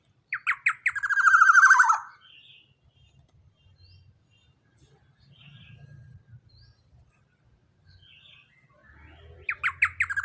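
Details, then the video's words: Young black-naped oriole, described as large-bodied with a loud voice, calls: three or four separate sharp dropping notes, then a fast buzzy rattling run sliding downward. A second phrase begins near the end after near-silence with faint low hum. "Pancingan Suara KEPODANG Emas Muda Body JUMBO BESAR suara LANTANG"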